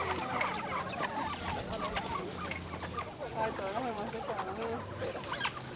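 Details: Several chachalacas feeding call together in a loud, raucous chorus of harsh, cackling, up-and-down notes that overlap continuously, a person speaking briefly; La Julia sector, El Ávila National Park, Caracas, Venezuela, Sunday 25 September 2011.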